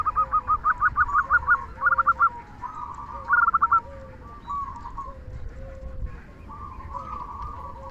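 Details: Local zebra dove whose strong 'kung' song serves to stimulate other doves: quick stuttering coo runs at first, then drawn-out wavering trills, over a steady low hum and a quieter second cooing bird.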